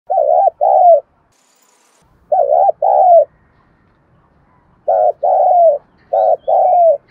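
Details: Spotted dove giving the 'thúc gù' coo: three paired phrases, each a short low note then a longer slurred coo falling at the end, separated by quiet pauses of over a second.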